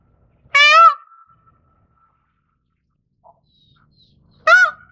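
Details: Indian peafowl (Pavo cristatus) giving two loud, brief nasal wails, each a rich harmonic blast under half a second long, about four seconds apart, with a thin steady tone lingering after the first and near silence otherwise.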